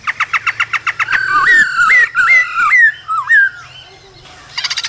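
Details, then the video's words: Male laughingthrush sings with female calls in the cold season, starting with a fast run of repeated short notes, then loud looping whistled phrases that swoop up and down, and closing with a quick rattling burst. "Khướu trống hót múa kèm tiếng mái ro kích bổi mùa lạnh"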